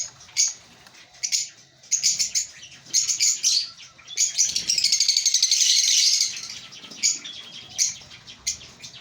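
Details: African lovebirds in a breeding colony give bursts of shrill, high chirps and twitters, rising to a dense, continuous chatter midway, with scattered sharp single chirps between busier spells.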